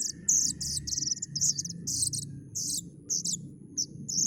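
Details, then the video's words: Young plaintive cuckoo giving shrill, high buzzy notes in short rasping bursts, several close together, then spaced single chirps, with a low background rumble. "suara anakan burung kedasih"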